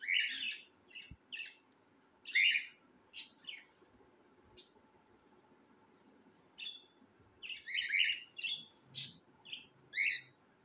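Young cockatiels give harsh, raspy, hissing bursts in uneven clusters, some short and some drawn out.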